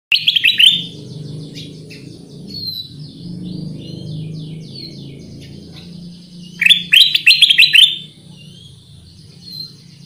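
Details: Black-crested bulbul, or kutilang emas, singing in a lure recording: a quick burst of bright rising chirps at the start, a long quiet gap with low background hum, then a second loud chattering burst of sweeping notes.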